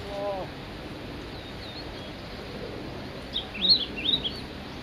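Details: Male Blue-and-white Flycatcher, Mount Migita: after a faint early note, a lively cluster of high, jumpy whistled notes near the end, over soft background noise.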